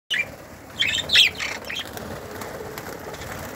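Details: Budgerigars in a breeding flight aviary, 2018: a few short, bright chirps at the start, then a louder cluster of sharp squeaky notes, with quieter flock chatter behind.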